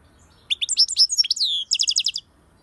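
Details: European goldfinch singing a rapid, liquid phrase of high twittering and slurred notes, ending in a quick series of repeated bright chirps, with a quiet background.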